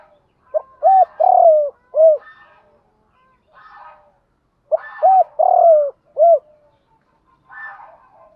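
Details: Spotted doves, cocks and hens, heard in a recording meant for training captive birds: two rhythmic cooing phrases of short arched hoots around a longer falling coo, repeated about four seconds apart, with fainter harsher notes between.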